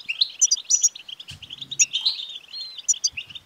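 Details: European goldfinch song played to stimulate a male goldfinch to sing: fast twittering chatter of liquid notes with bright high tinkling phrases and brief buzzy trills, nearly continuous throughout.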